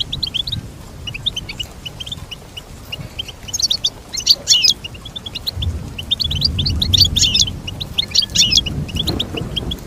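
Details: Goldfinch song meant to motivate birds to sing: a long, steady stream of fast high chirps with several louder trilled flourishes, and a soft low rumble underneath.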